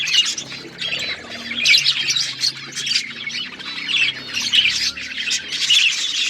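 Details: Several pet budgies chirping and squawking, bursts of scratchy warbled chatter rising and falling in waves every second or so.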